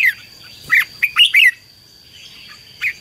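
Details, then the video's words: Red-whiskered bulbul fighting song used as a decoy to attract wild birds: a few loud, rich, downward-slurred notes bunched together, then quiet and one last chirp, over a steady high whine. "CHÀO MÀO HÓT GỌI BỔI CHÉ CĂNG ĐÉT QUÁ HAY - KÍCH CHIM NHANH CĂNG LỬA"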